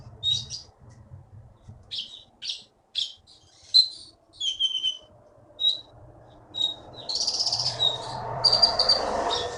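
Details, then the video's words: Keety (konin) bird from the Bangka forest, a winner at Bangka Belitung contests, delivering short bright chirps in quick succession, then a rasping high trill as broadband noise rises toward the end. "KEETY BURUNG JAWARA FULL GACOR"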